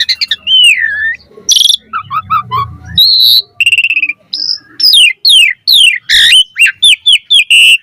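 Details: Asian pied starling song for training birds: swooping whistles, bubbling chatter and rapid repeated curved notes, with a low background hum in the first half.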